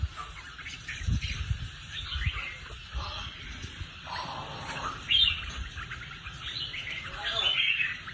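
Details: Red-whiskered bulbul kept as a cage bird for singing contests, producing scattered warbling phrases and chirps across the clip, with thumps and low noise in the background.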